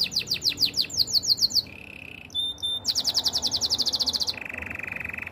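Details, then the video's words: Canary song used for training canaries: fast repeated sweeping notes, a steady low trill, a short pure whistle, then a long rapid pulsed trill and another rolling trill. "Canary birds sounds!! The best canary training song"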